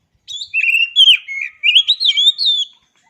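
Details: Single continuous phrase of oriental magpie-robin song, clean and close: sweet whistles that wander up and down, broken into quick syllables over about two and a half seconds.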